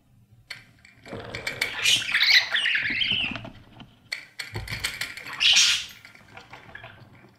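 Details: Budgerigar chicks inside a nest box being fed by their parents, giving dense, raspy, buzzing begging chatter in two long bursts, with clicks and rustling between them.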